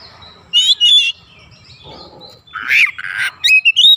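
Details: Oriental magpie-robin lure song: paired bright whistled notes, then harsh scratchy bursts and a final string of clear whistles, over faint low hum.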